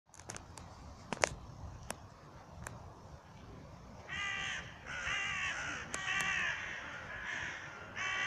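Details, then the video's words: A raven gives four harsh, drawn-out calls, each lasting nearly a second, preceded by a few sharp knocks and clicks. "Sonido del cuervo- Cuervo cantando"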